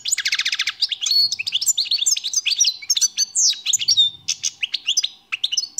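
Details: Wild European goldfinch singing a fast, tumbling twitter of high, bright notes, opening with a dense buzzy rattle, then a run of sharp chirps and short liquid trills with almost no pauses.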